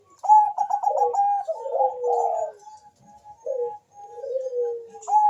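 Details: Bangkok-type zebra dove in full voice, answered by a rival bird: rapid stuttering coo notes run into a rolling trill and a descending drawn coo, then quieter repeated short notes and another low falling coo.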